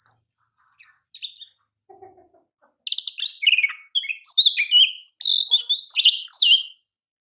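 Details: Oriental magpie-robin, champion bird for song training, opening with faint scattered notes and a low double note, then a loud run of varied whistles, harsh rasps and trills.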